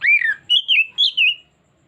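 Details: Oriental magpie-robin (kacer) in a lure recording meant to draw out its full repertoire: a short, loud whistled phrase of five slurred notes, the first falling and the rest wavering, then silence.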